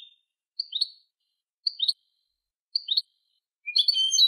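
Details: European goldfinch song, recorded for young goldfinches to learn from: short bright twittering phrases of two or three quick high notes, repeated about once a second, then a denser tinkling burst at the end; no other sounds.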